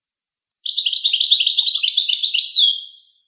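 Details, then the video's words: Goldfinch song as one continuous rapid twittering run of high, tinkling notes lasting over two seconds and ending in a falling slurred whistle. "Songs of the Goldfinch"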